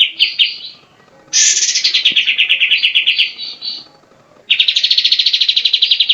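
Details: Grey-cheeked bulbul, used as a singing tutor for caged songbirds: brief chatters, then a loud rattling trill that starts high and slides lower, and after a pause another steady run of fast notes.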